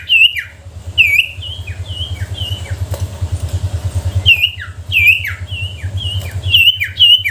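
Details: Sooty-headed bulbul lure song meant to coax silent bulbuls to sing: clear, short whistled notes dropping in pitch, repeated in lively runs, with a steady low engine rumble like a motorcycle throughout.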